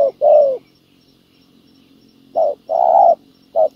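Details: Spotted dove cooing during trapping with a ground decoy to attract wild doves: two short-long coo phrases separated by a pause, over a faint low hum.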